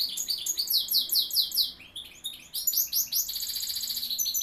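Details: Goldfinch hybrid singing loudly: a rapid run of repeated sweeping chirps, a brief pause, then more chirps and a sustained bright, buzzy twitter, over faint low background noise.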